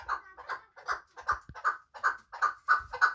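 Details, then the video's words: Chukar partridge from Muminobod, valued for hunting, uttering hoarse chuck notes at roughly three per second, with light low thumps in the background. "Кабки Муминобод"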